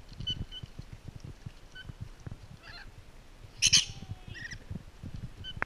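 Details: Rainbow lorikeets at Twycross Zoo during enrichment: a few short, bright screeches in separate bursts, one louder harsh shriek near the middle, over low rumbling background noise.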